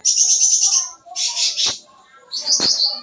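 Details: Sooty-headed bulbul, busy fill-in song used to attract young birds: a fast high trill, a rough chattering burst, then a bright whistled flourish, with two soft thumps.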